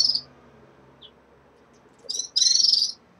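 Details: Red-fronted serins kept in a cage as moult begins. A high chirp is followed by a pause, then two quick notes and a longer, rattling buzzy trill lasting about half a second.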